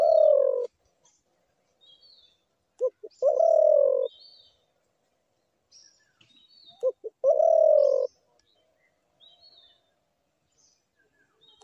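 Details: Spotted dove calling twice: a brief low note and two short clipped notes lead into a long, level, mellow coo about a second long, with a pause of several seconds. Faint high chirps of other birds sit in the background.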